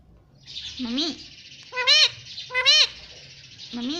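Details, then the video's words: Pet parrot talking: throaty speech-like syllables dip and rise, two louder bright phrases stand out, and a steady hiss runs beneath. "parrot talking everything"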